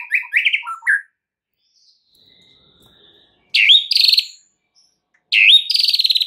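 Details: White-rumped shama song used as a lure to prompt other birds to sing, full isian style: quick burst of varied clear whistled notes, a pause, then two loud buzzy rattling phrases sliding down and trilling.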